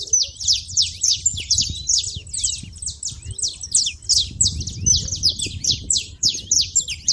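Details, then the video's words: Shrill, rapid chirping of saffron finch at a feeder, short notes around three per second in an unbroken stream, with low background rumble. "canário da terra fazendo barulho na seva"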